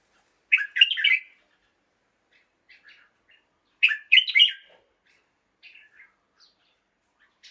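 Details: Red-whiskered bulbul in a cage, singing in the morning: two loud bursts of quick, bubbling whistled notes about three seconds apart, with softer isolated chirps scattered between them.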